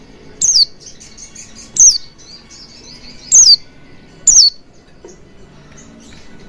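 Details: Oriental white-eye, recorded as a lure to encourage singing: four high, thin falling whistles spaced over a second apart, with soft twittering notes in between.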